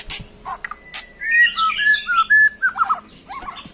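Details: White-rumped shama singing as if challenging a rival: a run of clear whistled notes sliding between mid and high pitch, with a few sharp clicks before and brief chattering notes after.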